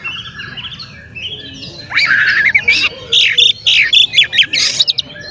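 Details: Oriental magpie-robin singing energetically, played as a lure to provoke other magpie-robins: after a quiet start with faint distant birds, loud varied phrases of sharp chirps, rising whistles and rapid buzzy bursts follow in quick succession.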